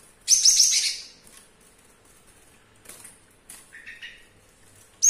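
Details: Java sparrow, a young caged male with a hurt foot and lost claw, singing in a kitchen; one loud burst of rapid high tinkling notes, then scattered soft chips and a brief clipped phrase at the end.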